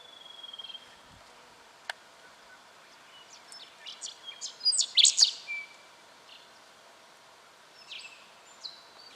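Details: Striated pardalote in Victoria, Australia, recorded October 2011; scattered high chips build into a loud cluster of sharp, bright notes around the middle, then a few thinner calls, with a click and a low thump early on.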